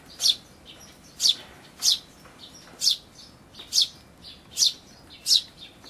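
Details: Eurasian tree sparrow chick being fed by a parent at a feeder, recorded 28 May 2013 with an Everio camera; sharp high chirps repeated roughly every 0.6 to 1 second, steady and insistent, with quieter calls between.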